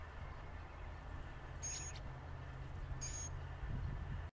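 A Northern Mockingbird gives two short, harsh high notes about a second and a half apart over a steady low rumble like distant traffic.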